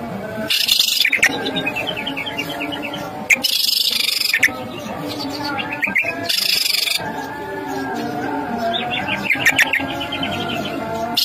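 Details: Greater green leafbird song in a bait track meant to rouse caged birds: loud bursts of fast buzzy chatter alternate with runs of high, quickly repeated whistled notes, with music playing underneath throughout.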